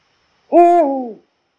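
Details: One Eurasian eagle-owl in Poland utters a lone booming hoot, level at first and then dipping in pitch as it fades, in otherwise silent surroundings.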